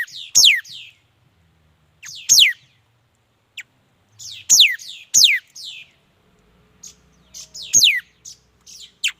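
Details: Mi dat bird song: loud, high whistles that slide sharply downward, given singly or in pairs with gaps of a second or two, mixed with brief, faint chirps.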